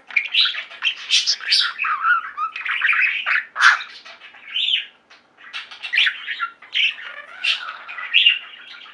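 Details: Pet budgie flock singing and chirping, chattering warble of scratchy buzzes and squeaky chirps in rolling phrases separated by short gaps.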